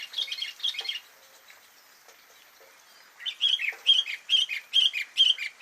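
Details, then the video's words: Isian song of a sooty-headed bulbul: a short burst of bubbly chirps, almost a two-second pause with faint clicks, then a steady run of clear, slightly warbled notes repeated roughly twice a second. "Isian burung kutilang"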